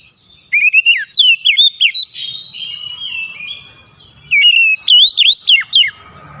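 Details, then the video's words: Oriental magpie-robin singing as a lure for a bird reluctant to sing, two loud bursts of varied whistled notes sweeping up and down, linked by softer sustained whistles. "PANCING KACER MALAS BUNYI"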